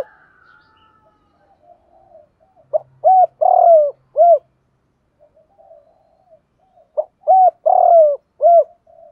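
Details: Spotted dove, male and female calls used to stimulate trained males: two complete mellow phrases about four and a half seconds apart, each short note, arched coo, long quavering falling coo and final coo.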